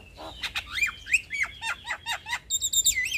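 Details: Lively young Javan myna, used as a song tutor and prompt for other mynas, gives rapid downslurred whistles and chattering notes, around four a second, ending in high ringing repeated tones.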